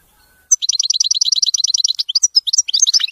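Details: Wedani-style song of a European goldfinch: after a faint whistle, a steady trill of quick, evenly spaced high chirps, about three notes per second, breaks into varied tinkling twitters and sharp upslurred notes.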